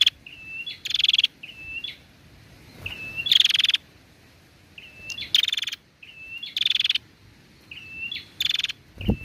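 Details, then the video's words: Female prinia calling persistently, used to stimulate other prinias to call: a thin, level whistle, then a loud, rapid ticking trill of about ten pulses, repeated in a steady cycle roughly every two and a half seconds. "suara prenjak betina gacor"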